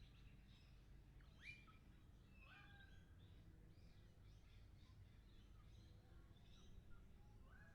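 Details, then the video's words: Lorikeets recorded in 360 VR, a mix of shrill squeals and rough chatter, with one louder piercing call early on, over continuous low-pitched background noise. "360 VR sounds of lorikeets"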